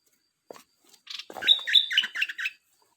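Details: Red-whiskered bulbul, dok taeng type, singing: a short run of chirpy, bubbling notes that step up and down, preceded by a few soft clicks and rustles.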